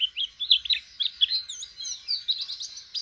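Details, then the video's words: Pleci, a white-eye learning to open its beak in song, delivers a quick jumble of high sweeping notes and chirps, about two per second, loud and clear over a quiet background. "Pleci jhonshon belajaran buka paruh asiik"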